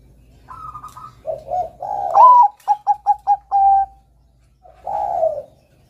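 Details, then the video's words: Eager Bangkok-type zebra dove song, played to prompt young doves to sing. A high steady note and low gurgling coos lead to a bright rising tone, four quick clipped notes and a long level coo. A low warble starts the next phrase. "PERKUTUT BANGKOK GACOR kutut Bangkok Gacor Manggung NEGEL ini PINTAR mancing bunyi Kutut Bakalan"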